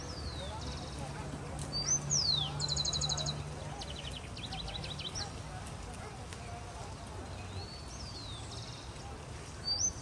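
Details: Rufous-collared sparrow singing in Colombia, Chicaque Natural Park and Bogota botanic garden, April 2019; repeated high descending whistles and rapid trills over steady low rumbling background noise, with other faint chirps.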